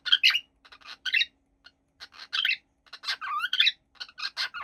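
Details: Happy cockatiel chattering indoors: raspy, scratchy bursts mixed with squeaky sliding notes in irregular quick runs, with a faint steady hum underneath.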